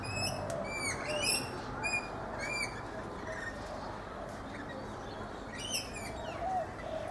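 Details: Rainbow lorikeets feeding in a guava tree in a backyard in Brisbane, Australia: a run of sharp, high, rising chirps repeated quickly in the first three seconds, then a brief burst near the end, over low soft cooing and steady background hiss.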